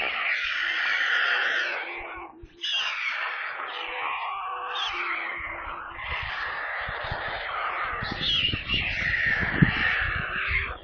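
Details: Storks' nestlings on a nest near Kaluga in central Russia, recorded by a live camera, beg hungrily with rasping, shrieking screams in long overlapping bursts. After a short break their cries resume, with low rumbling bumps toward the end.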